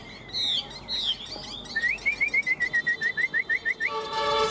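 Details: Caged Chinese Hwamei offered for sale, noted for fanning its tail and good fighting spirit, sings loud varied whistled phrases, then a fast run of about a dozen evenly spaced, clear repeated notes, ending in a harsher harmonic note.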